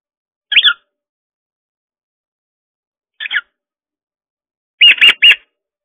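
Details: Cockatiel aged 13 years and 6 months, alone at home on 1 June 2022 and practising talking in front of a camera: three short bursts of chattering, the last a quick run of clipped syllables, with silence between.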